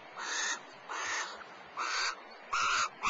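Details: An adult male barn owl at Starr Ranch, arriving at the nest with breakfast on 1 March 2011, gives harsh, breathy hissing screeches, each about a third of a second, repeated four times at a slightly uneven pace.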